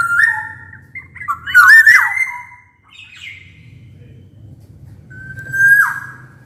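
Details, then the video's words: Black-naped oriole singing loudly, used to encourage silent orioles to sing: a tumbling run of fluted whistles mixed with a harsh squawk, a pause, then one clear level whistle falling at the end. "Burung kepodang emas gacor | Suara kepodang gacor ini bisa di jadikan pancingan kepodang malas bunyi"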